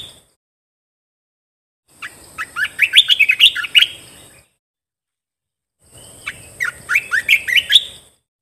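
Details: Bulbul, a Thai caged songbird called "red-eye", gives two bright, bubbly phrases of quick chirped notes, each about two seconds long, over a faint steady high hiss, in a recording meant for training cage birds.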